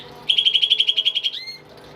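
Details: Rapid high trill of about thirteen evenly spaced notes ending in a drawn-out whistle, sung by a tame pet greater green leafbird.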